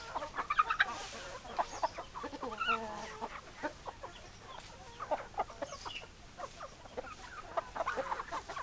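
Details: Group of chickens, hens and roosters, giving irregular short clucks and a few drawn-out squawks from several birds at once, low and somewhat distant against constant background hiss.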